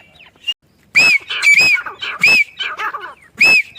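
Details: Spaced, arching, squealing notes from a female grey francolin in a mango farm near a home. Four or five loud calls are separated by brief gaps.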